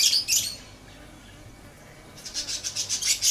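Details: Lovebird chirping: two loud, scratchy high notes open, then after a pause a fast run of sharp chirps repeated several times a second, rising in loudness.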